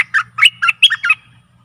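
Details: A decoy recording for luring aggressive wild birds: a stripe-throated bulbul delivers a rapid run of six bright, bubbling notes that rise and fall in a chattering phrase, over a faint low hum.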